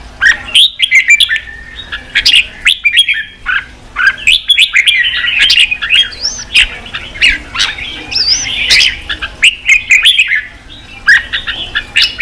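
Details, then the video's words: Red-whiskered bulbul singing to provoke wild-caught birds to fight and sing hard; dense, continuous chatter of warbled, slurred whistles with a few looping notes, nearly unbroken over twelve seconds, faint steady hum beneath. "Kích chào mào bổi đấu, luyện chào mào sổ giọng, kích chào mào căng lửa"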